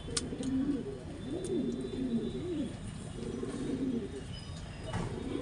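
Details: Mating pigeon, courtship on a rooftop or branch in a city; throaty bubbling coos in quick wavering phrases, one long rolling run near the middle, against low background rumble and occasional sharp clicks.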